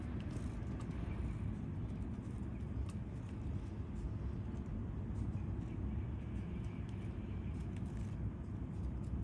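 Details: Steady low rumble of passing vehicles fills the whole recording, with outdoor urban background noise and no animal voices heard.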